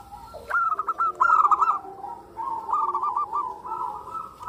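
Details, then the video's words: Female zebra dove, a local Indonesian perkutut, calling to the male: a burst of short, mellow, rapidly stuttered coos, then longer rolling, trilled cooing phrases at a steady mid pitch, with quiet background hiss. "Suara Perkutut Betina Memanggil Jantan"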